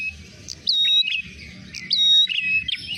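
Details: Ashy tailorbird lure sound used to attract birds for trapping: sharp high whistled notes and quick chirps in rapid bursts, with a long clear whistle held about a third of a second, repeated roughly twice per second.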